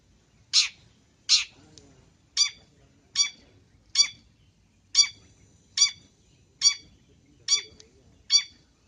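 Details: Long-tailed shrike call used as a lure: harsh, rasping notes repeated roughly every second, ten in all, over a quiet, low background.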